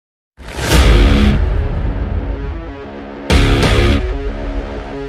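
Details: Loud dramatic music with heavy low drums and bright cymbal crashes, with no animal sound.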